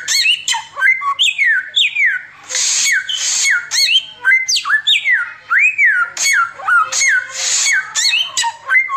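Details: Oriental magpie-robin in continuous 'tembakan samyong' song, suited to tutoring: rapid sequence of sharply falling whistles, looping up-down slurs and several raspy hissing bursts, delivered without pause.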